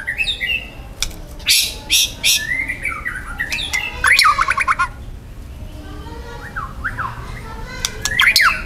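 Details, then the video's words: Young wild white-rumped shama from the forest giving loud, dense song with rough 'tembakan' phrases. Harsh broadband bursts come early, then clear whistled notes that slide down and up, and sharp rising phrases near the end. "TEMBAKAN MURAI BATU MUDA HUTAN GACOR KERAS RAPAT MATERI KASARAN"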